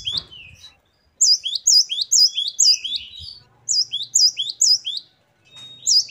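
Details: Great tit in lively full song, bursts of five or six quick, high, upward-hooked whistled notes separated by short silences, a soft lower whistle mixed in; faint low hum in the background.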